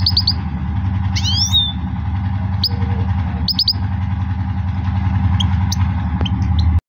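Goldfinch giving sparse, high, quick twittering notes and a couple of slurred rising chirps, over a steady low mechanical hum.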